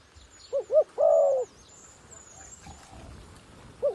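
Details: Dove used as a decoy to draw wild doves down, uttering one deep cooing phrase of two short notes and a longer purring coo, followed by quiet, then a fresh note starting; thin high whistles sound in the background.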